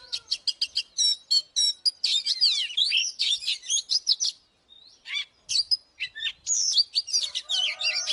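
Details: Lure oriental magpie-robin singing to stir up fighting, with rapid clipped chirps and then tumbling whistled slurs. A short quiet break comes midway before the lively warbling resumes, high-pitched and varied.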